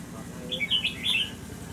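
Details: A kept red-whiskered bulbul (chào mào) with 'mơ mặt' face and 'mí lửa' fire-eyelid markings, having its attitude tested, gives a short burst of bright, warbled whistled notes lasting under a second, over a low steady background hum.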